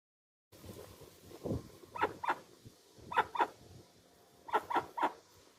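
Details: Dusky-legged guan giving short, barking honks, mostly in pairs or triplets about a second apart, over a steady hiss with low rumbling thumps between the calls.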